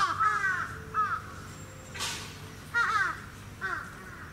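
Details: At Gunma Safari Park, Japan, 10 November 2018, captive Sarus cranes give sharp bursts of bright trumpeted notes, about four separate loud calls with quieter pauses and a brief rustle between.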